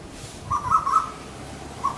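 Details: Cuckoo visiting a garden, making fighting calls used for communication: one short bubbly, warbled burst of mid-pitched notes lasting about half a second, then a brief note near the end; light background noise.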